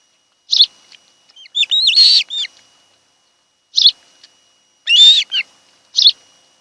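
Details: Osprey calls at a nest on Kent Island, Maryland, from a nest camera on 26 July 2018 in the afternoon, the nest of a mated pair: short sharp chirps and slurred whistled notes in scattered bursts, with quiet gaps between.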